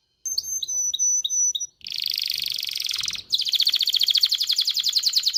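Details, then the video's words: Canary singing to spur males and females toward mating: several spaced high chirps, then long dense buzzy rolls and a fast rhythmic trill. "تغريد كناري لتدريب ذكور واناث الكناري على التزاوج. صوت كناري لتزوج .. Canary singing"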